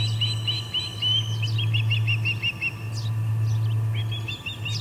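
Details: Osprey calls at the Charlo P2 nest, August 21, 2020, late afternoon, with three ospreys around: runs of piercing whistled chirps in quick bursts, a pause, then another burst, with a constant low hum behind.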